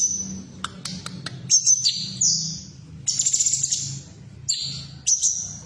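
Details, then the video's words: Female sooty-headed bulbul, a sound used to stimulate caged birds into singing: a few sharp clicks, then thin, high whistled phrases, some level and some sliding downward, in bursts over a soft low hum. "Terapi Suara Cucak Cungkok Betina"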